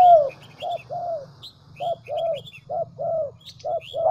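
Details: Series of soft, rounded coos from a spotted dove used as a decoy in Vietnam's Central Highlands, evenly spaced short and longer notes, with scattered high twitters of small birds and a low background hum.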